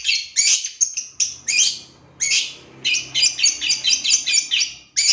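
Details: Untrained long-tailed shrike used as a singing lure. It chatters with quick, scratchy, high notes in bursts, then a fast string of clipped repeated chips, with a faint low hum behind.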